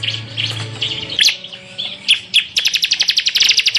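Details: Ciblek or bar-winged prinia in semi full tembakan style, recorded as masteran: soft warbled notes and a few sharp accented chips lead into an accelerating train of rapid, piercing chirps.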